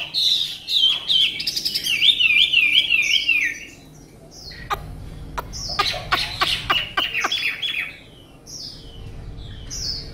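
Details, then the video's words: Tame Chinese hwamei singing with a fine voice: fast rippling, zigzagging whistled phrases for nearly four seconds, then sharp clicks and shorter slurred whistles, rising and falling notes after a brief pause. "họa mi ccdv1121 thuần đẹp giọng hay quá"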